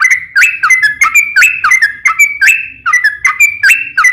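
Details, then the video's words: Long sooty-headed bulbul fighting song meant to trigger other bulbuls to respond at once: loud, bright whistled notes flicking up and down, chained without pause into a fast, jerky, rolling phrase. "KICAU SUARA trucukan gacor TARUNG ROPEL PANJANG"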